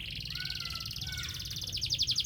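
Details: Canary in morning song meant to bring a pair together: a continuous high, buzzy trill with a softer whistled note gliding beneath it, the trill growing louder and more pulsed toward the end.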